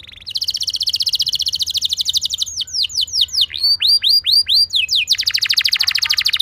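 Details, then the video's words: Rolling canary song used to prompt other canaries to sing: a long fast trill, a run of arched whistled notes, then another quick rolling trill. "Cukup Putar Sebentar Saja Burung Kenari Lain Bakal Langsung Ikut Gacor Ngerol Mewah Dengan Pancingan"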